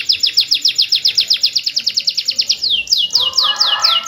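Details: Canary in full rolling song meant to coax reluctant canaries into singing: a long rapid series of high descending chirps, about six per second, easing into slower downward slurs with a rougher buzzy passage near the end.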